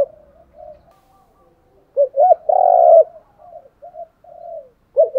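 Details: Decoy spotted dove cooing from male and female birds for stimulating trained doves: soft low murmurs, then a loud phrase of two short hoots and a long vibrating coo, quieter notes after, and a new phrase beginning at the end.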